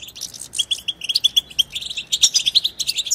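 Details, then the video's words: Twittering of European goldfinches, played to prompt silent goldfinches to sing: quick, tinkling, high chatter with short, level whistled notes strung together, growing busier and louder in the second half. "هيجان خرافي وتحفيز من أول دقيقة بتبتة حسون خرافية لن يهدأ حسونك بعد سماعها قل وداعا لصمت الحسون"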